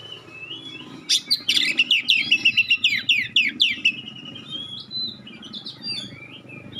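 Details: Oriental magpie-robin in 'tembakan' song, sharp clear notes intended to provoke a response from other magpie-robins: a rapid run of piercing, evenly repeated notes about four per second, then softer varied whistles over a steady low hum.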